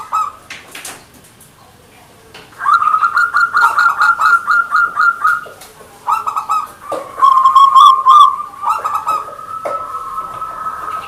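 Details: Zebra dove (perkutut), local Indonesian bird, singing a gacor manggung song: long runs of rapid, pulsing rolled notes, several phrases in a row, loud and close, with brief pauses between.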